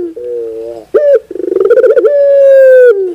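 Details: Puter bird, the Barbary dove, giving its cooing phrase: low wavering hoots, an abrupt upward note, a quick pulsing roll and one long even sustained coo that fades downward.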